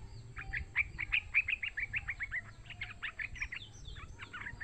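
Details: Call of a young yellow-vented bulbul, effective for provoking other bulbuls to sing: fast run of sharp chirped notes, about a dozen in quick succession, then scattered softer chirps, with a faint high whine.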